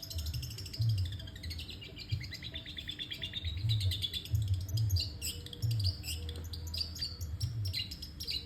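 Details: Long-tailed shrike singing continuously, a fast, varied warble of high chirps and trills running nonstop for over eight seconds, with a low droning hum and faint music underneath.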